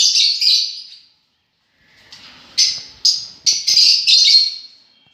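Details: Lovebirds screech shrilly, a long harsh call first, then after a short quiet spell a quick series of four sharp high chirps.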